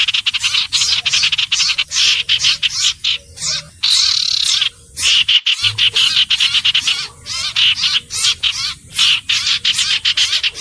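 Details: Common iora with fast, crackling runs of high chattering notes, with a louder, sustained buzzy burst near the middle and several short gaps between phrases over a low background hum.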